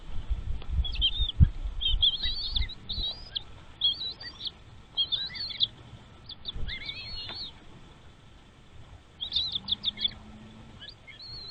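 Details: Nestling birds in their nest begging as parent birds bring food, giving bursts of rapid, high, thin twittering chirps in excited clusters, pausing and resuming, over low rustling and handling thumps.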